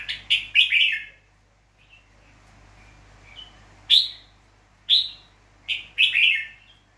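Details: A tame, wild-caught red-whiskered bulbul from Nghệ An, Vietnam, recorded 29 April 2024, gives bright, chirpy phrases of quick notes: a cluster of notes, then single calls about once a second, over a faint low hum.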